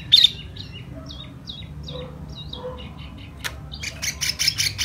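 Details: Laughingthrush in spring singing in spread-out display style, a string of quick, thin whistled notes with falling slurs, softer lower notes underneath, followed by a sharp click and a run of rapid scratchy bursts.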